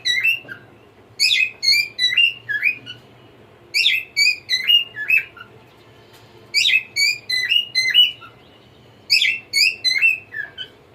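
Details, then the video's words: Singing cockatiel repeating the same whistled phrase four times, roughly every two and a half seconds, each phrase a rapid series of clear, slurred, slightly falling whistles with strong overtones; quiet room hum in the background. "Cute Cockatiel Singing"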